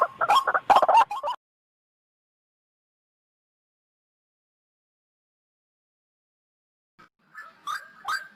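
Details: White-breasted waterhen lure call used for trapping birds: a burst of harsh, rhythmic grunting notes, then a long silence, then the grunting starts again.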